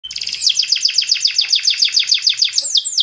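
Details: Canary song in the fast, energetic gacor style: a steady string of rapid, descending buzzy notes repeated over three seconds, ending in a sharper whistled flourish.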